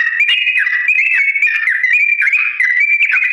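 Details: Long slow rolling song of a yellow-vented bulbul, intended for birds to learn from: bright, fluid whistles sliding between a few pitches in quick succession, sustained throughout with no background noise.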